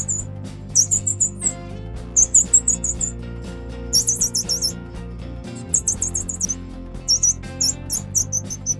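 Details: Grey-cheeked fulvetta (Alcippe morrisonia) chicks being fed by adults give bursts of very high, thin, squeaky begging calls every second or so, over steady background music.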